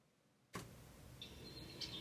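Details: In Northern California, a Red-winged Blackbird comes very close and gives a drawn-out, buzzy trill held high and steady for under a second after a sharp click, with a low background hum.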